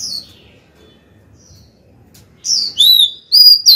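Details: Female Oriental magpie-robin sings to summon a male: after a brief high note and a long pause, a run of loud, sweet whistles with sliding and falling phrases closes the passage.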